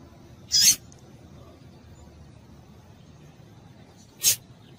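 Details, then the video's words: A female rusty-collared seedeater gives two short, high, harsh chips nearly four seconds apart, a call said to make males sing, over a low hiss. "Piado de Fêmea de Papa capim Vai deixar Seu Papa capim Cantando"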